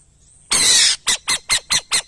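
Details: A burrowing owl lets out a broad, rough screech lasting half a second, then five clipped, scratchy notes in quick, even succession, with a thin high tone faintly in the background.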